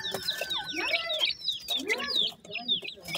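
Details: Hatchling grey francolins calling their mother with shrill, whistled peeps sliding downward, mixed with lower rising and falling chirps, in a short lively burst.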